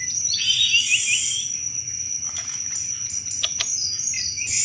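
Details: Sunda robin (tledekan gunung) singing actively, a chattering 'cetrekan' style used as a lure for thrushes: dense, very high scratchy twitters and rolling trills, with a continuous shrill hum underneath.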